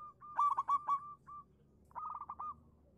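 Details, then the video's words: Local-type zebra dove singing as a lure meant to prompt quiet doves to answer: a burst of rapid, staccato cooing notes, then a lone coo, then another fast rippling trill of short notes. "suara burung perkutut lokal manggung pancingan cepat nyaut untuk perkutut macet bunyi"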